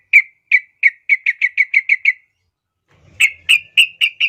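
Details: Sooty-headed bulbul master song for training young birds: a fast series of short clear chirps, about ten evenly spaced, a brief pause, then five louder chirps with bright overtones.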